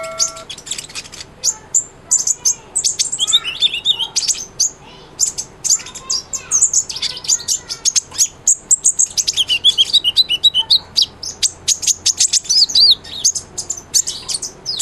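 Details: Sunbird, a captive bird singing persistently, used as a tutor recording for white-rumped shamas. Dense, very high chirps, sharp ticks and rapid twittering trills run almost nonstop, with brief thin whistles and quick rising and falling sweeps.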